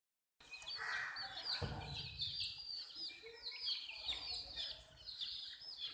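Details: Desi chicks drinking water: a thin stream of high falling peeps runs throughout, joined early by a lower hoarse burst and a short low thump, over a faint background hum.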